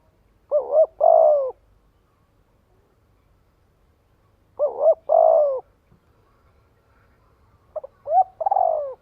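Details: Spotted dove calling to draw others in: three cooing phrases several seconds apart, each a short double-humped note then a drawn-out coo, the last preceded by a couple of clipped extra notes.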